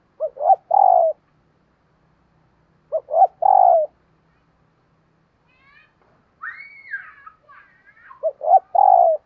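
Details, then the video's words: Morning cooing from a decoy spotted dove calling in wild birds. Three-part hoarse coo phrases are repeated about every three seconds. Between them comes a higher, brief whistled sound from another bird. "Tiếng Chim Cu Mồi Thúc Và Gáy Gọi Bổi Vào Buổi Sáng"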